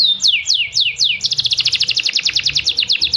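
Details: Canary song used to prompt other birds to sing: four loud downward-sweeping whistles, then a fast even trill of high bright notes, about eight per second, continuing to the end.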